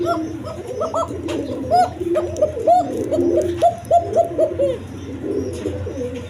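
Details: Local and foreign colouring pigeons, with eggs and chicks: a dense chorus of low, throaty cooing notes that overlap from several birds and rise and fall in short bursts, under a steady low hum.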